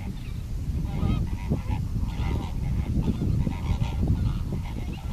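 Greater flamingos in a flock give a steady, overlapping chorus of nasal, goose-like honking calls. A low rumble runs underneath throughout.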